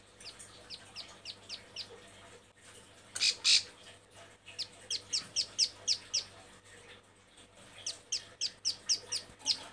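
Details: A female bar-winged prinia in breeding condition, calling to males, gives bursts of five or six sharp, high chipping notes in quick succession, broken by one louder harsh burst.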